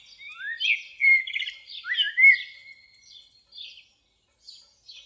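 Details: Common blackbird song phrase with mellow whistled notes sliding up and down, followed by thin high twittering that fades into sparse faint chirps.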